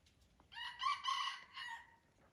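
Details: Aceh red junglefowl at Durung, Krueng Raya crowing once, a harsh harmonic call in several linked pulses, loudest in the middle, trailing off after roughly a second and a half.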